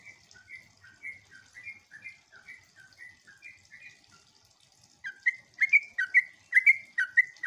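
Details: Sooty-headed bulbul song used to provoke replies from other bulbuls: a softer, distant series of slurred whistles at first, then a closer, louder burst of bubbly notes in the last seconds.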